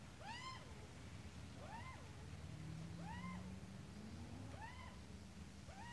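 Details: Australian magpie, an adult together with a chick, giving soft arched calls with strong overtones, repeated roughly every second and a half, against steady low rumble and a brief low drone.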